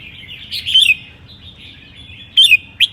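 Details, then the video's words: Red-whiskered bulbul from Sơn La, said to have seven claws, sings ché style in cold weather: a clear, slurred whistled phrase, then two abrupt bright notes near the end against a quiet low rumble. "CHIẾN BINH 7 MÓNG HÓT CHÉ NGÀY LẠNH"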